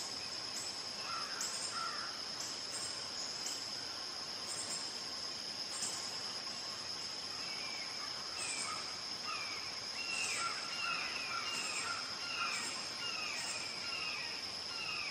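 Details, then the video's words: Red-shouldered hawk in a long screaming bout: scattered notes at first, then from the middle onward a quick series of downslurred, harsh calls, while insects buzz continuously at a high pitch. "Red shouldered hawk call / sounds"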